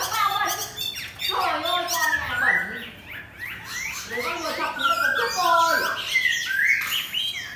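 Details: Competition Chinese hwamei singing with tail spread, set beside a fighting bird: continuous rich warbling of rising and falling whistled phrases, loud and varied throughout.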